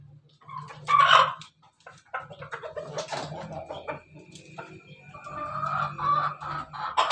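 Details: Crowing of ayam ketawa and ayam pelung roosters, domestic chickens: a loud harsh opening cry, then a choppy stretch of short notes leading into a long sustained, slightly wavering crow that rises in strength toward the end.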